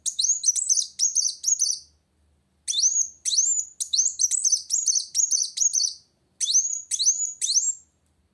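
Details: Van Hasselt's sunbird in energetic rival-challenging song, giving clusters of shrill, high, upswept chirps in three runs separated by pauses of about half a second, each note sharp and thin.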